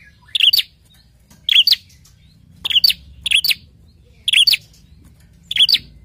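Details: Prinia calling, used to provoke other prinias into answering: paired sharp high chirps, each a quick double note, repeated about once a second in short bursts against a quiet background.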